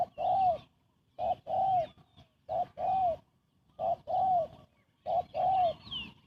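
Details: Spotted dove cooing rapidly, used to lure birds into traps; evenly spaced pairs of a short note and a longer arched coo, repeating every ninety seconds or so, clear against a quiet background.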